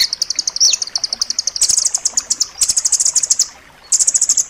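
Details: Rambatan loreng nuthatch master song, dense and sharp, meant for teaching pet birds: long, even, fast trills of high piping notes, one dropping slur near the start, and a short pause before a final burst.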